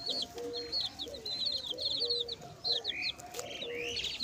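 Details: Chicken chicks peep in quick, high, bright chirps, many overlapping, with a few louder upslurred peeps, while a hen gives soft low clucks beneath them.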